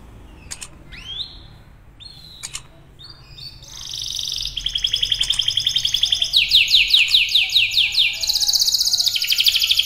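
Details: Canary song starting with scattered sharp clicks and brief chirps, then building into long, rapid, pulsing trills and high rolling phrases that grow louder toward the end.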